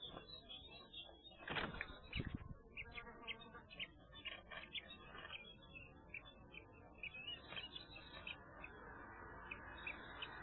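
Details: Four young common kestrel chicks in a nest in Windsbach, Germany, 5 May, giving short, high, thin calls repeated irregularly over a steady hiss, with a couple of loud knocks early on.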